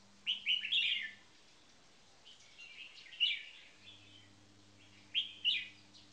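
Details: Caged red-whiskered bulbuls, one a first-place marathon frequency singing bird and one on its first day in a cage, give three bright, chirpy warbled phrases in close succession, with a faint steady hum underneath.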